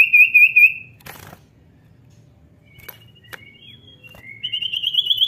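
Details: Common iora (cipow) song: a brief whistled trill, a burst of rustling, scattered faint clicks and thin notes, then a rising series of whistled notes building toward the end.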